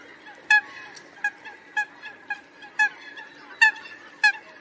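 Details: Calling to its flock, a Eurasian coot repeats brief sharp nasal notes about every half second over a faint steady hum.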